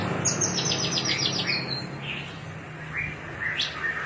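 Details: Javan bush lark of the Cilacap type singing in the cing ciu style: a run of quick high chirps followed by scattered short whistled notes over steady low hum and background noise.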